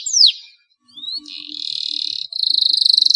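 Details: Canary in long, ornate song used to coax quiet canaries into singing: a sharp downslurred whistle, a brief pause, a rising note, then a steady high buzzy roll and a faster pulsed trill.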